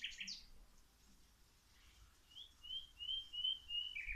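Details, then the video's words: Outdoor birdsong during plant watering: a quick chirp, a quiet pause, then a steady series of thin high whistled notes repeated about every quarter second. "Watering the plants while the birds singing"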